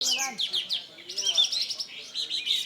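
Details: Bulbul (burung kapas tembak) singing prolifically and showing off its learned phrases: rapid, high, twittering notes and sharp chirps in dense bursts, with a man's voice briefly heard underneath at the start.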